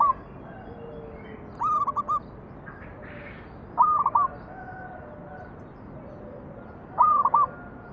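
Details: Local perkutut (zebra dove) giving its manggung song as a lure to get other doves singing: three short cooing phrases spaced about two to three seconds apart, each a rising note followed by a few clipped beats, with faint other sounds between.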